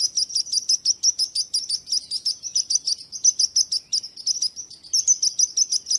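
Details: Birds chirping in a quick, slightly uneven rhythm of about three high, clipped notes per second, sustained for the whole stretch against an otherwise quiet background.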